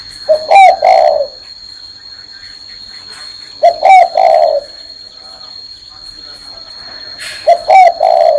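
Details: Spotted dove perched on a hand, repeating its low coo three times at intervals of three to four seconds, each phrase ending in a drawn-out falling note, with a steady high whine in the background.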